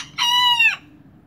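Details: A young miniature rooster crowing kikiriki: one short, clear, level tonal crow of about half a second that ends in a quick downward slur, in otherwise quiet surroundings.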